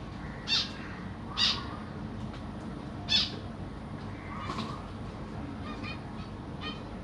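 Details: Caged zebra finches, Black Cheek variety, a family with three juveniles and three newly fledged young while the parents feed them, 25 June 2023. A few short, nasal, harmonic calls are spaced about a second apart over steady low background hum.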